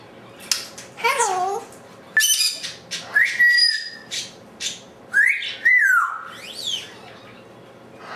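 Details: Pet African Grey parrot vocalizing alone in a room after its owners left; a mix of sliding whistles, rising and falling slurs and short speech-like chatter, separated by quiet pauses.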